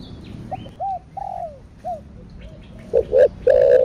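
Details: Spotted dove cooing in the thổ đặc thúc kích bổi manner (thổ sấm): soft arched hoots and a drawn-out falling note, then two punchy short notes and a loud sustained coo.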